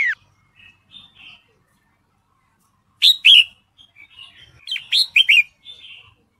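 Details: Female red-whiskered bulbul in breeding condition calling to attract a male: scattered soft notes, then a pair of loud chirps and later a quick cluster of three or four bright notes.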